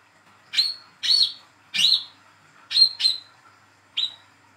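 A young brown-throated sunbird gives six sharp, high chirps with a quick downward slide, spaced irregularly over about four seconds. The background is quiet.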